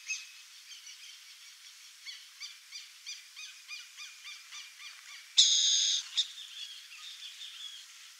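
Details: Wild burrowing owl in Brazil giving a fast series of high, clipped chattering notes, about four a second, broken by one loud, harsh rasping screech.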